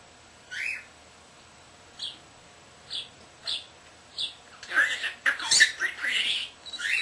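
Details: Pet common starling under a year old, indoors, mimicking camera beeps and whistling: about five short high beep-like notes roughly once a second, then a rush of harsh chattering and squeaky notes.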